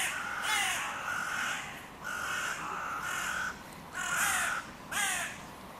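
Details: Territorial crows at the junction of three breeding pairs' territories by a music pavilion in König-Albert-Park; a series of long, nasal, rasping calls with short gaps, ending in sharper caws.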